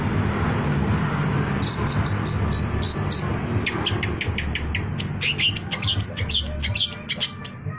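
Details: Long-tailed shrike (cendet) trapping lure song, with cricket-like high buzzy pulses in short bursts giving way to a rapid run of sharp chips and squeaky whistled notes, over constant low background rumble.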